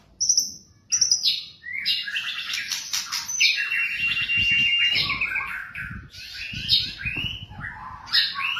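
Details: White-rumped shama song used as training material for captive birds: a dense, varied run of high whistles, trills and buzzy notes, with sharp rising and falling phrases, over faint low rumble.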